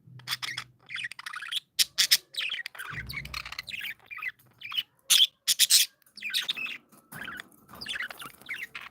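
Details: Playful pet budgerigars chatter together, a busy mix of quick scratchy chirps, buzzy warbles and short squawk-like notes in uneven bursts, with a brief low rumble of handling or movement early on.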